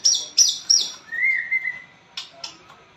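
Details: White-rumped shama singing: three quick high whistles sweeping downward, a long sustained mid-pitched whistled note, then two sharp clicking chips, clear and close.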